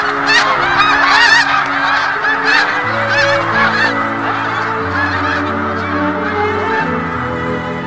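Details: Migrating snow geese in spring 2017, with nearer birds giving distinct sharp, rising nasal honks over a thick flock chorus, loudest in the first two seconds then easing, and steady low tones stepping underneath.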